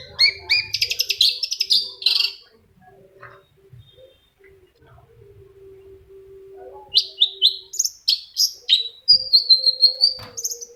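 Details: Long-tailed shrike lure song: an opening burst of rapid buzzy chatter, a long near-silent stretch with a faint steady tone, then sharp whistled slurs and clipped notes returning loudly.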